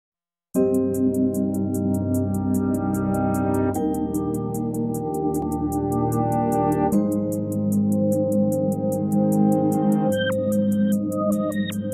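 Steady electronic ambient music with sustained synthesizer chords and a regular ticking beat, no animal voices.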